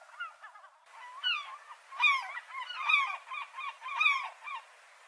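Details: Several gulls mixing harsh, squealing notes with bent, yelping cries. The calls come in louder clusters roughly once a second.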